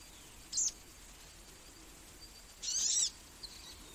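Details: Magnificent sunbird uttering two short, very high, piercing bursts, a brief chirp then a longer trilled squeak about two seconds later, followed by a faint echoing note, over quiet background hiss.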